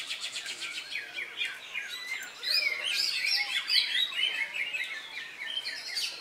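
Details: Newly moulted greater green leafbird singing in a Latpres Utama Delta Kencana Indonesia contest, Saturday 3 September; steady run of quick whistled slurs and chips, swelling louder midway into emphatic sweeping notes, other contest birds overlapping.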